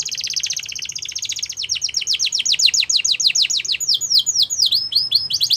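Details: Canary singing to stimulate other canaries: a dense high trill easing into a long steady series of downslurred notes, becoming wider and slower toward the end.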